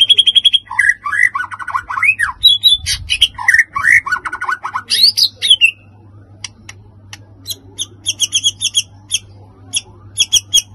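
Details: White-rumped shama, a fighting-spirited male, singing in an emotional bout meant to provoke other birds: varied whistled phrases, rapid rising and falling notes and sharp high chips, then a run of short bright repeated bursts.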